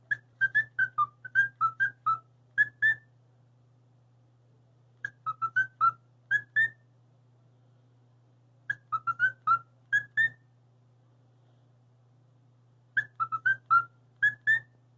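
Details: Pet bird calling at its own reflection in a mirror; bursts of short clear whistled notes, rising and falling, in groups of about ten over two seconds, separated by pauses of two to three seconds, steady low hum behind.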